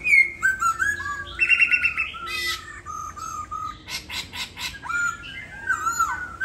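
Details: In Hà Nội, Vietnam, a home-kept caged laughingthrush in tail molt mixes fluty whistles, buzzy trills and harsh rasping bursts in a continuous varied song.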